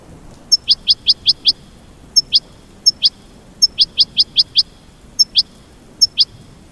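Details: American goldfinch mating call: short bursts of three to five quick high chirps alternating with single sharp notes, separated by brief pauses.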